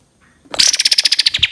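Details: Cream-vented bulbul opening a 'tembakan' shooting trill in a tutor recording: a brief, very high, rapid stutter of sharp notes after a moment of quiet.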